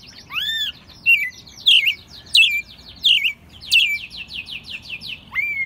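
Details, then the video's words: American robin kept caged in Mexico City since it was a chick, singing loudly in March 2020; a rising whistle, then several swooping downslurred phrases about twice a second, and a quick series of short strokes. "Mirlo Primavera, el pájaro melómano cantando en CDMX"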